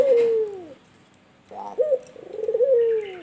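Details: Albino turtle dove (puter) cooing: a low, smooth, downward-sliding coo, then a rolling, bubbling coo with a short rise before gliding down again.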